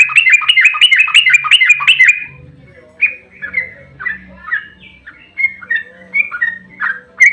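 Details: Sooty-headed bulbul fighting song used to provoke rival birds to answer: a rapid two-second burst of bubbly chirps, then spaced slurred whistled notes, loud and clear over a faint low hum.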